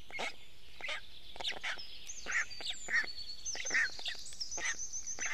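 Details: Black stork chicks in a nest in Estonia begging as their father delivers fish on a May 2018 morning; repeated hoarse, nasal squawks roughly every second, with whistled birdsong overhead.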